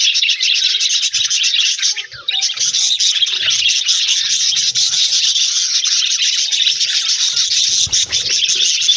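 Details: Aviary budgerigar colony with a new companion producing steady overlapping chirps and warbles, a constant busy chatter throughout with brief faint knocks in the background.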